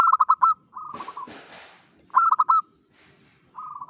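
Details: Local zebra dove's dawn song for luring: loud rapid staccato coos alternating with softer purring trills, about two phrases a second, broken by a burst of rustling noise.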